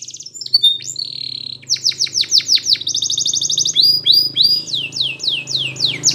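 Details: Belgian canary, recorded as training song for young canaries: rapid series of sweeping down-slurred notes, steady rolled trills and high whistles in a lively, varied sequence over a low background hum.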